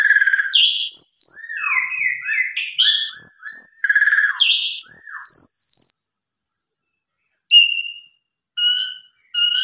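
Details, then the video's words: Javan pied starling song used as a lure to get other starlings singing: a rich, varied run of loud whistles, slurred notes and buzzy chatter, then a pause and a few clear whistled phrases. "Suara Burung Jalak Suren"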